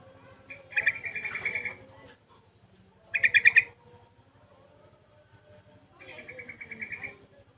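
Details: Young caged yellow-vented bulbul, six months old, practising the ropel and garuda song styles, giving three separate bursts of fast, pulsed chattering notes with short quiet gaps between them.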